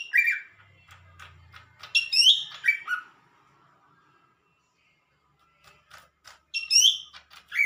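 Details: Lesser green leafbird singing actively, a short whistled note, then a bright burst of high chirps and descending slurred whistles, a quiet spell of faint ticking, and a fresh loud phrase of rising and falling whistles at the end.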